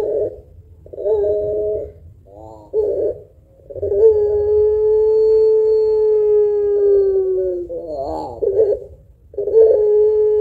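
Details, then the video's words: Puter pelung dove, a lively singing bird with a long voice and thick 'kuwok' coo, used as a lure to stir other birds: short wavering coos, then one long, steady, low hum-like coo sliding down at its end, a warbled burst, another coo. "Burung Puter Pelung Gacor Suara Panjang Kuwok Tebal Cocok Buat Pancingan"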